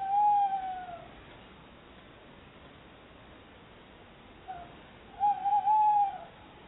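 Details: Two tawny owls, a pair seeking a new nest site, visit a Somerset nest box and chatter together: a clear, level, whistle-like call, then after a pause a softer note and a longer wavering tonal call.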